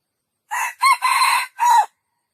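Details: Four-part junglefowl crow, brief and hoarse, its second note rising sharply and its last syllable dropping away, nothing else audible.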